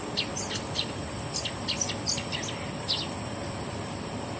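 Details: Bird seeking a mate gives bursts of quick, high, downward-slurred chirps in small clusters, with a constant shrill whine and rustling background noise.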